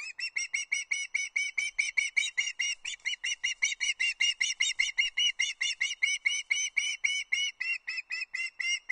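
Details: Osprey chick, a juvenile at Loch Arkaig in Scotland on 31 August 2022, calling for fish before a brown trout delivery: continuous shrill piping calls, evenly repeated about two and a half per second throughout.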